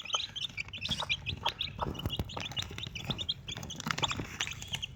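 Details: Desi chicks, four of them with one mother hen, peep almost nonstop: dense, high, thin chirps in rapid overlapping series, with faint tapping underneath.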